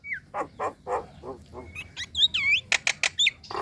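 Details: Female Nias hill myna calling to the male with a varied string: several short hoarse bursts, then clear upslurred and looping whistles and sharp high chirps, one burst after another.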